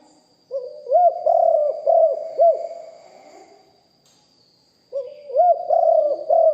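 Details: Spotted dove used as a decoy, recorded live with its big voice. A soft lead note swells into four rounded, arching coos. After a quiet gap of about two seconds, the next phrase begins.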